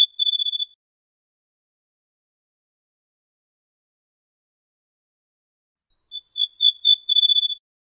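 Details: Ortolan bunting, called bouh fassi in Morocco, from a compiled wild-bird song tape: the end of one phrase and, after a long silent gap, a full phrase of quick, high, evenly repeated chirping notes lasting over a second.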